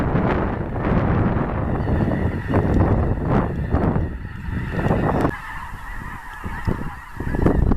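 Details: Migrating snow geese flocks at Clinton Lake, central Illinois, during a blizzard on 6 February 2016, recorded at close range: a dense chorus of high yelping calls, heavy rumbling wind over the microphone, and the goose chorus thinning after about five seconds.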